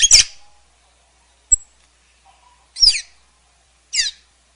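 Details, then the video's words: Sayaca tanager, Thraupis sayaca: short, sharp, high descending notes, each a quick squeaky downslur, given at intervals of about a second, with a faint lower tone between. "Celestino Canto! Llamado! Sonido! Cantando! Llamando! - Sayaca Tanager Bird Song - Thraupis Sayaca"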